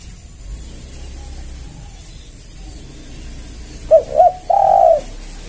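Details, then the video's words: Spotted dove cooing used as a lure for other doves: after quiet background hiss, a single phrase near the end of two brief low notes and one longer sustained coo. "Pancingan Tekukur Semua Pasti Merespon"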